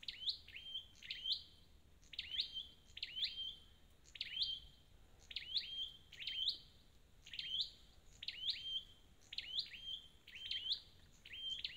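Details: A wild-caught scarlet-backed flowerpecker gives sharp, high, metallic ticking notes in quick pairs and triplets, repeated about once a second in a steady run, over a faint low hum.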